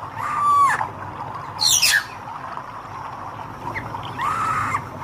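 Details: Hair-crested drongo with red eyes gives arched whistled notes and a harsh rasping burst between them, with quiet background hiss.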